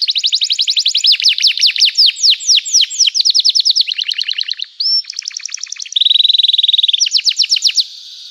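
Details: Gacor canary song used as therapy for canaries that have stopped singing: fast repeated trill notes, a brief upslurred whistle, then a sustained dense rattle and a final bright trill.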